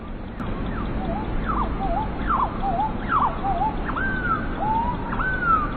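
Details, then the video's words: Bird song of loud whistled phrases, each a steep downward slur followed by a wavering lower note, then longer drawn-out whistles near the end, repeated over constant background noise. "listening to bird sound"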